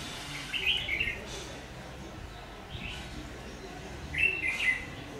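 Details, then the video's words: ['Red-whiskered bulbul (Má lỡ) with a very fierce voice, recorded while being trapped with a decoy bird on 22 August 2019; a short bright whistled phrase, a faint answer, then a louder slurred warble, over steady background noise.'] "Bẫy chào mào Má lỡ giọng cực gắt"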